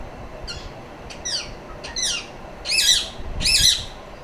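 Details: Rapid run of harsh, buzzy screeches from a pet female rose-ringed parakeet, each sweeping downward, roughly one every half second to second, growing louder toward the end.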